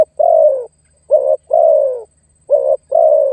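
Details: Spotted dove luring and challenging a rival for trapping: rich low coos in pairs, a brief wavering note leading into a longer coo that sinks in pitch, repeated about every one and a half seconds.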